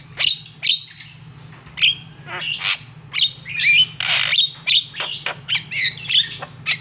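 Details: Shrill chirps and harsh scratchy bursts repeated irregularly, nearly twenty in seven seconds, as a Javan myna gives its provoking call to make another bird sing; steady low hum behind.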